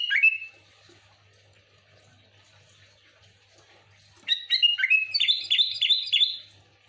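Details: A single squawky whistle opens, then after a long quiet gap a rapid run of bright, bubbling sooty-headed bulbul notes climbs and bounces; used to lure other bulbuls.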